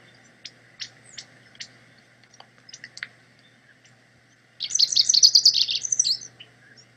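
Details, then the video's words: Rufous-crowned Sparrow, a common species of local canyons and chaparral, recorded in Rubio Canyon, Altadena, giving a quick, jumbled, high chattering song about 1.5 seconds long after scattered thin chips from other birds. "This is a rufous crowned sparrow, recorded in Rubio Canyon in Altadena."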